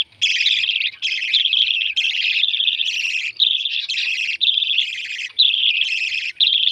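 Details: Lovebird chicks calling as they are fed, a steady stream of harsh, buzzy begging notes in sustained bursts nearly a second long, separated by short gaps.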